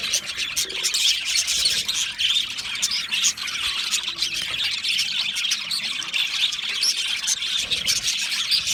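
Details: Steady chatter from a group of budgies, Australian parrots, with constant high, buzzy chirps and squeaks blending into one unbroken flock noise.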